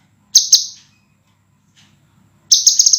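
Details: Clear, dense, sharp scarlet minivet song from a master recording for training cage birds: two piercing high notes, a brief silence, then a fast run of high trilled notes.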